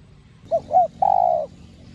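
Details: Spotted dove, a kept bird, cooing in the 'giọng đồng' voice style with 'gáy thúc gù' urging coos, used to stir up decoy doves. Gives two short rounded notes, then one long, slightly falling coo, with a low rumble beneath.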